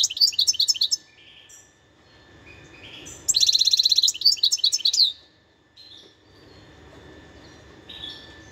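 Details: A wild European goldfinch, recorded in 2021, delivers a twittering phrase, pauses briefly, then sings a longer, louder run of buzzy rattles and tinkling chirps before falling silent.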